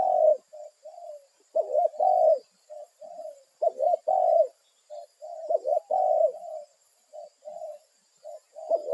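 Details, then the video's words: Spotted dove calling its companions in the wild, a territorial bird; low hollow coos in repeated phrases, with overlapping calls suggesting more than one dove, and a faint steady high hiss in the background. "Suara#burungtekukur//memanggil kawannya di alam liar"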